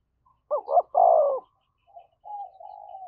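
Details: Spotted dove cooing to provoke a fight, in the thổ voice style: two quick hooting notes run into a longer, falling, husky coo, followed by softer, faint low murmurs.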